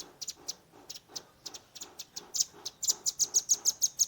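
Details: A young velvet-fronted nuthatch delivering its 'tembakan' shooting song on a Redmi 10 recording: evenly spaced high chips that quicken into a loud, rapid rattle-like series.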